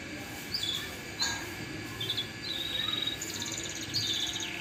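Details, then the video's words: A yellow canary sings bright, high whistled notes and quick trilled phrases, with short rapid rolls near the end, over a steady background hiss. "Yellow Canary Singing"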